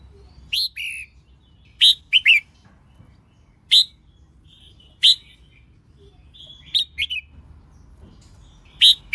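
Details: Female red-whiskered bulbul song for spurring males to sing: scattered crisp chirps and short slurred whistles, some in quick pairs or triplets, separated by pauses of about a second, over faint background hum.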